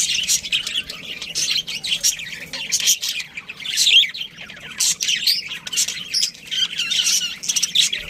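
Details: Pet budgerigars in a breeding colony chatter in busy, rapid warbling bursts of high, scratchy chirps, several birds overlapping and swelling louder around the middle.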